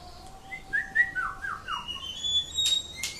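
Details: Indonesian greater green leafbird singing ngatrok: a chain of descending whistled slurs at mid pitch, followed by a long thin high whistle and two sharp clicking notes near the end.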